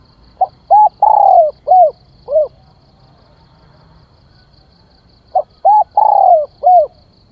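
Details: Lure spotted dove calling: two phrases about five seconds apart, short soft notes and coos framing a long descending coo, the first phrase followed by an extra lower coo.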